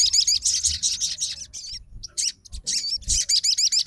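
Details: Excited fighter Crimson Sunbird, provoked by a rival sogon's song, pouring out fast, strident, looping high notes in repeated bursts with brief breaks.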